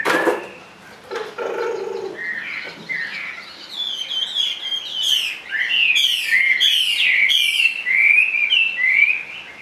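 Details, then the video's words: Caged Chinese hwamei, a large sleek bird singing persistently in its cage; loud varied whistled phrases around mid-high pitch with rapid repeated trills and slurred notes building through the second half, after a few lower harsh notes at the start. "HM 454 chơi mọi địa hình bộ to đẹp mướt sách lồng hót bệt dính cầu"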